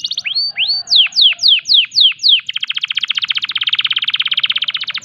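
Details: Canary in breeding condition gives rising slurred notes and a series of loud falling whistles, then a long, very fast even trill filling the rest of the phrase.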